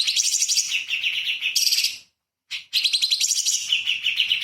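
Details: Light-vented bulbul in full rapid-fire song for training magpie-robins: two bursts of fast, buzzy trilled chatter with sliding notes, split by a half-second pause.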